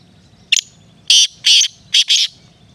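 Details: Black francolin gives its full grating phrase: a short clipped opening note, then two long rasping notes and a fast closing pair, all within about two seconds over a quiet low hum.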